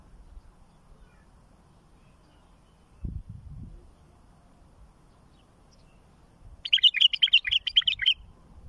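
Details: Bulbul singing, recorded for teaching young birds: after a long quiet stretch and a brief low thump, a rapid, slightly longer run of chirpy warbled notes lasting about a second and a half.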